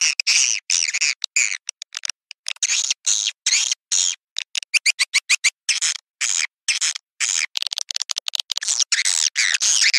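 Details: Swiftlet; lure call; attracting swiftlets to nest houses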